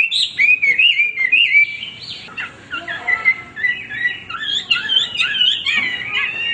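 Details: Male hwamei song of clear slurred whistles that gives way to a softer, wavering warble with rising and falling notes.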